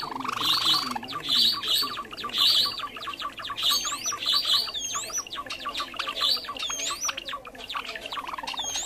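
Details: Java sparrow lure recording used for trapping, a bird of rice fields and farmland: high tinkling chips and clicks, swooping whistled notes above, with a low buzzy rising note near the start.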